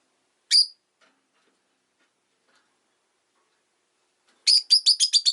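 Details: Rosy-faced lovebird (Agapornis roseicollis) on a leisurely afternoon, street noise possible: one sharp, high chirp, then after a pause a quick run of about seven shrill chirps.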